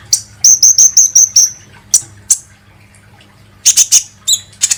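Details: Kolibri ninja sunbird, a lure recording used to get other birds singing: high, thin chirps and a quick run of repeated sharp notes, then a pause before a burst of bright twittering.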